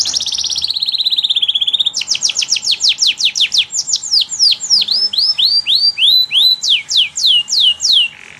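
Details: Canary singing for tutoring young birds: a fast rattling trill opens, then rapid downward whistled sweeps, arched chirps and high rising notes in quick series, each phrase repeating several times at a lively pace.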